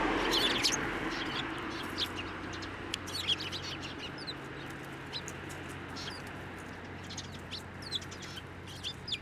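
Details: Eurasian tree sparrows at a Tenmangu shrine on 9 December 2023, coming to a hand to be fed; rapid, busy high chirps and short twitters throughout over faint background noise.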